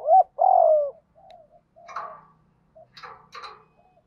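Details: Spotted dove fighting coo used to lure and provoke wild doves: a loud short coo, then a long steady low coo, followed by softer, fainter coos and rougher notes.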